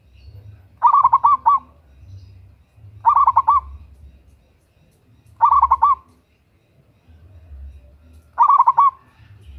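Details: Local zebra dove, loud female calling a male, used to lure other birds into song; four loud bursts of rapid rolling coos recur about every two and a half seconds over a soft low rumble.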